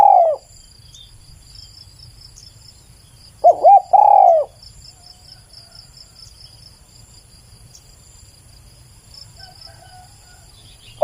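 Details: Spotted dove: one coo phrase of quick curled notes and a sustained falling coo, then long quiet stretches with only a soft high insect hum, another coo beginning at the end.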